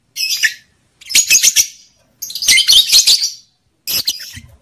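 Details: Lovebird breeding-stimulation calls meant to rouse male excitement and female readiness to mate: four separate bursts of sharp, rapid, high-pitched chirping, each under a second, with clean pauses between.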